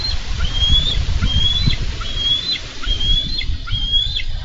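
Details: Wild bald eagles in Minnesota, 4 July 2013, one ambushing another to wrestle a carp from its talons. Shrill whistled notes rise then drop sharply, repeated roughly every half second in a steady chatter over low wind buffeting.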